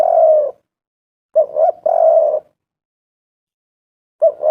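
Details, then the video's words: Spotted dove used to draw other doves into calling: a long, level, mellow coo, then after a pause a quick double note joined to another sustained coo, and a fresh double note starting at the end. "tekukur derkuku gacor suara mantab"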